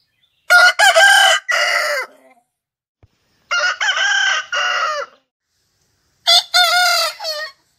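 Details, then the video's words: Three separate crows from a rooster, each a loud, harsh, harmonic burst of several quick syllables with a longer falling tail, spaced by short silences. "Rooster crowing"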